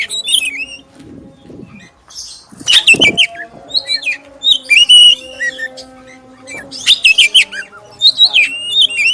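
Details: Oriental magpie-robin, black-breasted form, singing a lure song meant to set off other magpie-robins; bursts of clear whistles and scratchy notes separated by pauses, low electrical hum in background.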